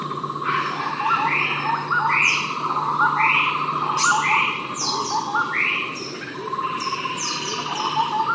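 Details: Javan scimitar babbler calling at Ijen, East Java, Indonesia, during a birding tour: rising-then-falling slurred notes repeated about once a second, over a steady buzzing insect drone with other small birds chirping high.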